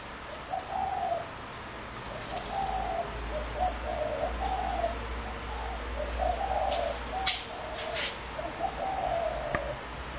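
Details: Spotted doves, a large flock heavily fed by a neighbour, calling almost continually from sunrise to sunset near homes: low, soft cooing phrases repeated in overlapping rounds, with a steady low hum and faint higher chirps behind.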